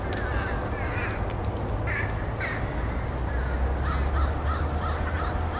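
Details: Crows roosting at night at K-State, where thousands gather on some nights; many harsh caws overlap in a busy chorus, with constant low-frequency rumble underneath.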